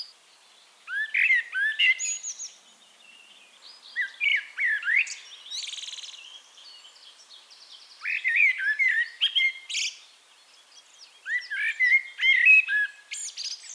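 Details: Singing Eurasian blackbird recorded in Castricum, the Netherlands: four separate warbled phrases spaced a few seconds apart, each mixing low fluty whistles with higher squeaky, chattering ends, and faint background twitter between them.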